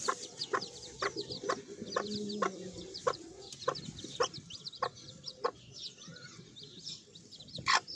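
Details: A group of Sebright chicks cheeping in a dense, high chorus of short slurred notes, with regular taps about every half second and a brief low murmur near the start.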